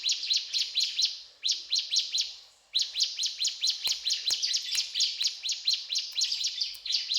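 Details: Mountain tailorbird (ciblek gunung) in energetic cetrakan song: loud, high, rapidly repeated sharp notes in a long run broken by two short pauses, with faint clicks behind.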